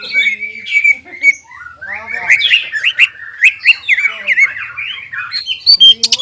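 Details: Greater green leafbird singing excitedly: a steady whistled note, then a rapid warbling run of looping, slurred phrases, ending in sharp clicks.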